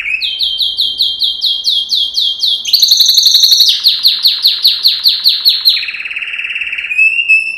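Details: Yellow canary, Serinus canaria, singing a training song: clear repeated swooping notes, a dense high burst, a long run of rhythmic downslurred notes, then a buzzy trill and a thin whistle.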